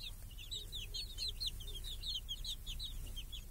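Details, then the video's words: Small chickens with a hen in a village, eating and chasing flies beneath a protective cage on a clear summer day; rapid overlapping high peeps, each a short slurred downward note, fill the whole stretch. "Chickens and hen in the village | Sounds with chicks on a clear summer day"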